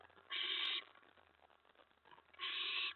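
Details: Owl at a nest, mouse delivery at 4:46 AM on May 15, 2017: two harsh, breathy screech bursts about two seconds apart over a faint steady low hum.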